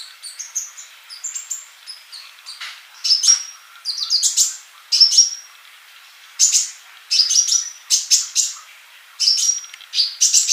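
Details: Male olive-backed sunbird in lively song for teaching non-singing young birds: soft high twitter at first, then loud clusters of sharp chirps and thin level whistles every second or so.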